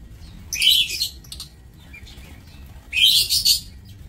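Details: Several sharp, harsh chirping bursts from lovebirds in a breeding aviary cage on 27 March 2024. A loud cluster opens, a softer chirp sits in the middle, and another loud shrill burst comes near the end. Faint low rumble throughout.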